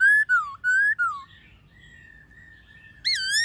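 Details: White-cheeked laughingthrush singing wild-style, many-voiced song alongside a calling female, meant to train young caged birds: three clear whistled notes, a long quiet level tone, then a bright rising whistle.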